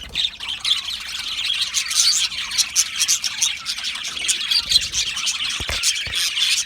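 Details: Flock of Australian budgies in an aviary making a continuous chirping chatter, high twittering notes mixed with a few harsher squawks and a couple of soft thumps.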